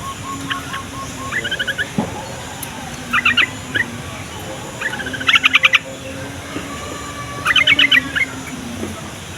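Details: Yellow-vented bulbul song meant to set young or reluctant bulbuls singing and draw in wild birds: several short bubbly chattering bursts spaced irregularly, with some faint thin notes and low hum beneath.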